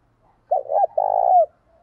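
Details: Spotted dove, a decoy bird's cooing and calling to draw and provoke wild doves to come fast: two short throaty coos, then a long low rolling coo ending in a slight upward slur, about one second in all, in a quiet background.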